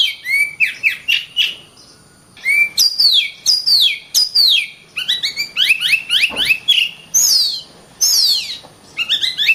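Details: Kacer (Oriental magpie-robin) singing a long, varied run of rapid chirps, descending whistled slurs and stepped note series, with a soft low thud midway.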